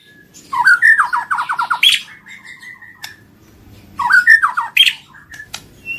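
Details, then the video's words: White-rumped shama song played to trigger singing in silent birds: two bursts of rapid descending whistled notes followed by a level drawn-out whistle, separated by a short pause, over faint low background hum. "PANCINGAN BURUNG MURAI BATU MACET BUNYI SEKALI PUTAR LANGSUNG NYAUT BUNYI"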